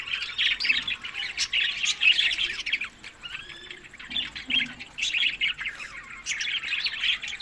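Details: A group of budgerigars at their summer food, May to June, in Larkana, Sindh, gives soft warbled chatter in waves, some slurred whistled notes and squeaks, loud then easing, then building again.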